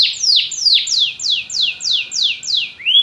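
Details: Canary singing, a song for a pet bird to learn and copy: a steady series of about nine loud, high, whistled notes, each sweeping sharply downward, repeated roughly three times per second and ending on a short rising note.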